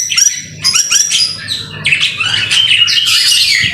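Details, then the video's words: Murai batu, the white-rumped shama, singing in the rain as masteran. Thick, fast, very high twittering and harsh notes overlap without pause, with a long descending whistle near the end. "BIRD SOUND IN THE RAIN SUPER SPECTACULER / MASTERAN MURAI BATU GACOR"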